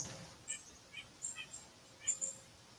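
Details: White-breasted nuthatch recorded in a backyard at 2:57 by an automatic bird-identifying recorder, played back: faint, thin high beeps repeated in short irregular series, about six notes over three seconds, with a quiet background.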